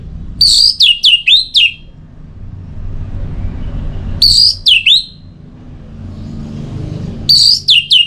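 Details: Orange-headed thrush song used to encourage singing: three short phrases roughly three seconds apart, each a quick chain of downslurred whistled notes, with a low traffic-like rumble behind.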